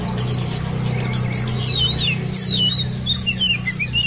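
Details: White-eyes on a lure meant to prompt singing: quick descending high twitters, at first crowded and then spaced into clear repeated notes, over a steady low hum.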